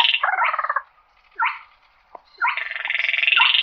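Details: A slaty-breasted rail calling the flock: a pulsed grating rattle, one short sharp note, then a longer rising buzzy rattle, in a clear recording with no other sounds.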